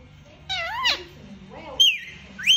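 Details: Rose-ringed parakeet, called mithu, talking: a nasal, speech-like phrase with sliding harmonic tones, then a high, clear whistled note held and bent downward, ending on a sharp rising squeak.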